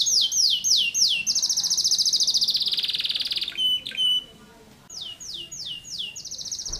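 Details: Insistent canary song in the dense 'tembakan rapat' style: falling sweeps lead into a sustained high buzzing trill, a short pause with a single clear whistle, then more sweeping notes and another rapid trill.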